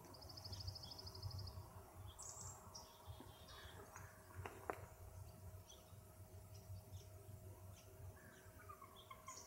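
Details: Over Skagit Bay on Camano Island, Washington, a bald eagle gives varied calls just after sunset on a hot July 28, 2009 evening: an opening burst of quick, high repeated notes, then scattered short sharp notes, over a steady low hum.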